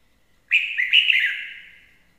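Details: Red-whiskered bulbul decoy bird giving a single lively warble that opens sharply and moves through several rapid slurred whistled notes before dying away, on a clean quiet background.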